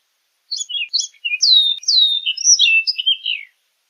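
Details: Orchard oriole delivers a rapid three-second phrase: a few quick choppy notes, then longer clear whistles that swoop down, followed by mixed chattering and slurred notes that fall away at the close.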